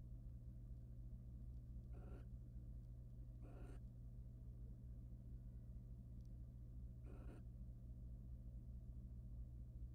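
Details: Wild barn owls in a nest box, the male preening his mate; three softer rasping screeches at uneven intervals beneath a prominent steady low hum.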